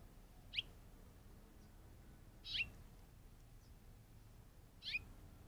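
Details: Off-screen Curve-billed Thrasher captured on a trail camera, giving three sharp, bright chirps that drop steeply in pitch, about two seconds apart, against quiet low rumble.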